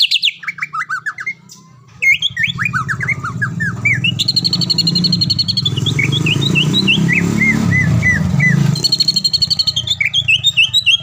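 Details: Caged greater green leafbird, a competition-winning bird from the Palembang area, in a training recording. Rapid, varied whistled notes and chattering phrases, some sharp and rising, over a steady low rumble like passing traffic.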